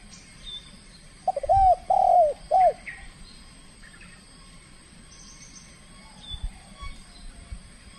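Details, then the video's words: Trained spotted dove from the Riau Islands in its first contest bout, showing aggression: three low hollow coos, the middle one drawn out, then faint chirps from other birds over a steady hum. "TEKUKUR SI BINTANG PERDANA LAGA LANSUNG KELUARKAN SKIL NYA"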